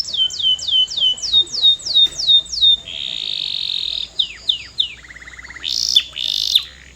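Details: Singing canary giving repeated falling whistles, a steady buzzy tone, a few separate curved notes, a lower rolling trill and brief harsh high bursts.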